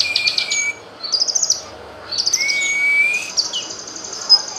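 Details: Cucak kinoy song used as a tutor recording for training songbirds: high chirped bursts, a long rising whistle and buzzy trills with short pauses, over a faint steady background hiss.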